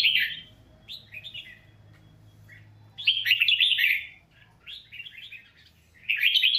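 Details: Red-whiskered bulbul singing for voice training: an opening warbled phrase, a run of softer broken notes, then a loud chattering phrase mid-clip and another beginning at the close, over a steady low hum.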